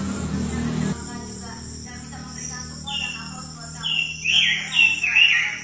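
A robin sings bright, quick warbling phrases, high and tumbling, over a steady high insect-like hum, after a brief low rumble at the start.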